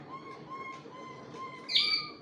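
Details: Malinois Waterslager canary singing; long, even whistled tones held steadily, ending with a louder, brighter burst, over low background hum.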